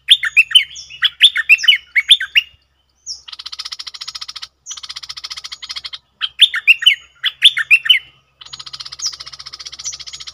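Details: Red-whiskered bulbul used as a decoy bird, alternating loud slurred whistled phrases with long stretches of fast, even, buzzy chattering notes, repeated over several cycles.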